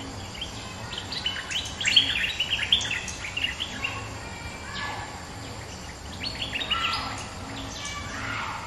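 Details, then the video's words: Answering a rival, the resident bulbul gives two clusters of fast chattering, warbled notes separated by a quieter stretch, with a soft low background rumble throughout. "เสียงนกดอกแตงEp.209 ถูกคู่ เจ้าถิ่นริก!!กระจายเลย Suara pikat merbah lekir gacor"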